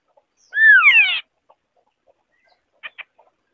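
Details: White-browed scimitar babbler (Pomatorhinus schisticeps) song: one loud, rich, slurred whistled phrase sweeping downward with overlapping harmonics, followed by two faint short notes near the end.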